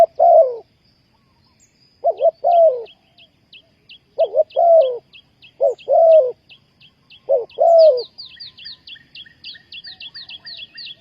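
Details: Spotted dove calling to lure wild doves for trapping, giving five quick phrases of paired and longer mellow coos. Steady high chirping from small birds continues throughout and grows busier at the end.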